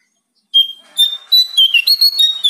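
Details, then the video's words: Bar-winged prinia singing loudly: clear whistled notes, each a short high piping phrase, repeated in quick succession after a brief silence. "Pancingan jongkangan biar gacor"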